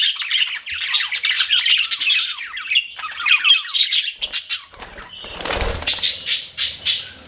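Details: Pet budgerigars warble in scratchy, downward-sliding chirps; a brief burst of broad rustling noise cuts in midway, then sharp, evenly spaced chirps follow.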